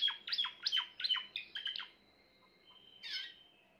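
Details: Grey Timbrado canary song: a string of sharp repeated descending notes with a bright tonal line, then a sustained flat whistle and a final chirp over light background hiss.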